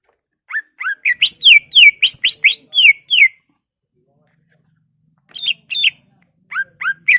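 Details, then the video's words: Caged greater green leafbird pouring out a fast string of loud, slurred, descending whistles for nearly three seconds, followed after a pause by shorter bursts of similar notes; used to excite other leafbirds. "Pancingan Cucak Ijo merangsang emosi cucak ijo lain"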